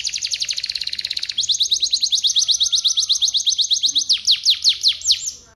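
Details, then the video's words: Long unbroken canary song used to set other canaries singing, made of very rapid high trills that shift into evenly spaced, slightly slower sweeping notes, then a few loud downward slurs. "Suara Burung Kenari Gacor Sekali putar Kenari lain ikut Gacor bunyi"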